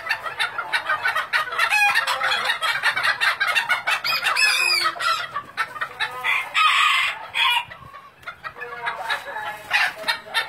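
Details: Thai bantam chickens kept for breeding at a farm: dense overlapping clucks and cackles from several birds, with crows breaking through around the middle and again near the end of the ten seconds.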